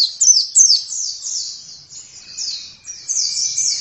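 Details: Oriental white-eye in vigorous gacor song: high, sweet, down-slurred twitters delivered in quick bursts with brief pauses, clean and close with little background noise.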